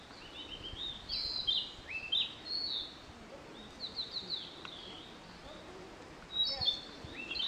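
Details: Male Narcissus flycatcher at a breeding site, 25 May 2013, digiscoped while two males disputed territory with threat calls before singing. Clear whistled phrases, high and warbling with rising and falling slurs, in bursts around one, three-and-a-half and six-and-a-half seconds over steady background hiss.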